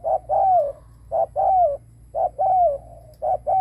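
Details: Decoy spotted dove calling to attract wild doves. Loud, low cooing couplets: a clipped first note, then a longer, gently falling coo. They repeat roughly every second, four times.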